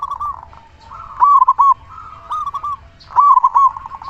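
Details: Local zebra dove, loud singer used as a lure: quick rolling, stuttering coo phrases repeated about once a second, each a cluster of short bubbly notes over a soft background hum.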